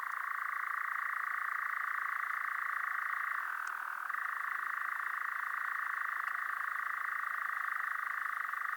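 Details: European Nightjar delivering an almost unbroken churr of nearly nine seconds: a dense, machine-like trill with one short dip to a lower tone midway before returning to its steady pitch.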